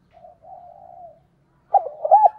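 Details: Decoy spotted dove singing urging and calling coos. A faint, drawn-out low coo comes first. After a pause, a louder burst of short, rounded, bouncing coo notes follows.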